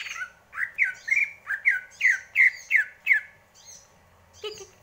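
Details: Greater green leafbird, kept as a cage bird in Indonesia, singing a rapid series of about nine bright, slurred whistled notes around two kilohertz, roughly two per second, then a pause and a short harsh squawk at the end; indoor setting.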